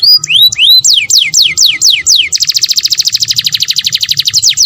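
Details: Canary singing for breeding stimulation: upward and downward whistled slurs repeated about four per second, then a long, very rapid high trill.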